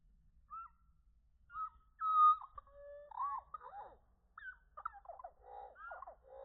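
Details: Chickadees taking food from hands at a Conservation Area: scattered short whistles, then rapid chattering, buzzy notes in dense clusters, in quiet surroundings.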